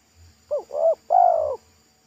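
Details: Local spotted dove with a pesom-style song, thick and loud, recorded at a roadside during a lure-trapping attempt: one three-part coo, two short rising-falling notes followed by a longer, stronger falling coo. Faint low hum underneath.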